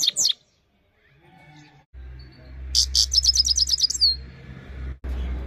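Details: Himalayan goldfinch singing: a brief high note, a quiet pause, then a rapid string of high twittering notes ending in a falling slur, over a low steady hum.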